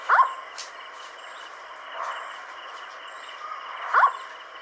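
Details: Indian scops owl at night near Sikar, Rajasthan, India, on 7 April 2020: a short, gruff, bark-like 'wuk' note about every four seconds, over a high hum of night insects. Another scops owl calls in the background, possibly a nightjar at the end.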